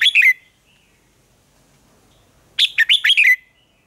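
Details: Red-whiskered bulbul contest song from a decoy bird used to spur other bulbuls: a short chirpy burst, a two-second pause, then a fast run of five or six clear, looping whistled notes.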